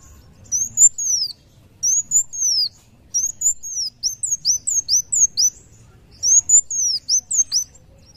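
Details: Actively singing sunbird known as kolibri wulung gives repeated phrases of piercing high whistles, long arched notes then rapid down-slurred chips, with brief silences between phrases.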